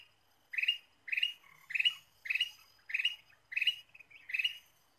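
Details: Ruby-throated bulbul lure sound: seven loud, rich chirped notes with a slightly harsh edge, evenly spaced about every two-thirds of a second, each trailed by a softer short note, over a quiet background.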